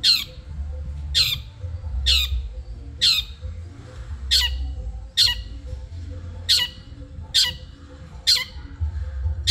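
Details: Long-tailed shrike from Madura, on a recording used to train caged birds to sing. It gives a steady series of about nine loud, raspy, downslurred squawks, roughly one each second, with low background rumble.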